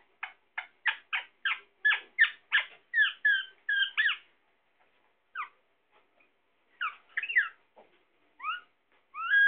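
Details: Sindhi parrot kept as a pet: a steady series of about ten short sharp harmonic chirps, then looping two-tone calls, a pause, scattered clipped notes and a final rising whistle.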